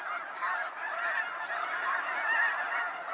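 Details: Sunset fly-out of snow geese from Sacramento National Wildlife Refuge, a steady babble of many honking geese calling together, with a few clearer individual yelps over the mass.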